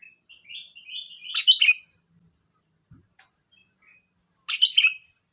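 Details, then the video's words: A sooty-headed bulbul singing: soft rising chirps build into a bubbling loud phrase, a pause of nearly three seconds, then another burbling burst. "Suara burung Kutilang Gacor || Ocehan Kutilang"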